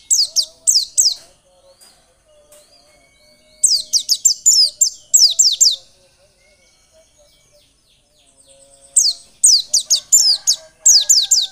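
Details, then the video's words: White-eye song used to get birds singing hard: three long bursts of fast, high, falling chirps and twitters, separated by quieter gaps with faint background notes. "Pancingan pleci biar gacor dan ngotot."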